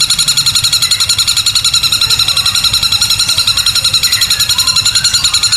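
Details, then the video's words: Long-tailed shrike singing with its beak opened wide. It gives a long, loud, harsh, shrill burst, pulsing about three or four times a second without pause. "Cendet tembakan kuntilanak super dahsyat panjang keras sampai buka paruh lebar"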